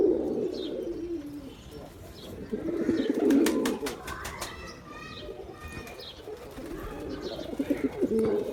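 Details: Male pigeon cooing to attract pigeons: bursts of deep rolling coos at the start and middle, with sharp clicking or flapping sounds near three to four seconds and scattered small chirps.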